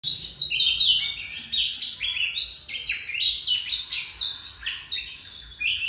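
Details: Oriental magpie-robin delivering a long continuous song, said to last up to fifteen seconds in one breath; a varied stream of high whistled phrases, slurs and chirps with barely a pause.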